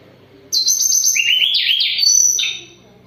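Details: Sunda robin in moult singing strongly: a trilled high phrase, then tumbling lower whistles rising again, closing on a bright sustained note.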